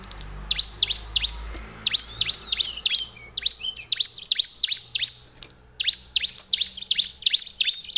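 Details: Bar-winged prinia lure recording meant to draw prinias in: a fast run of sharp, high chirps, about two per second, with a few thin whistled notes mixed in.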